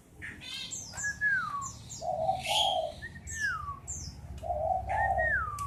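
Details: Black-naped oriole song: fluting whistled notes sliding down, paired with mellow low warbles, repeated several times, alongside high chirps from other birds and a low background rumble.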